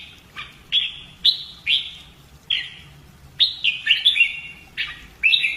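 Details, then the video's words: Red-whiskered bulbul trained for fighting song, giving clear whistled notes that slide downward, spaced about half a second apart, then a faster cluster of descending whistles. "CHÀO MÀO | Luyện giọng chim hót hay hót đấu - kích ché lên lửa"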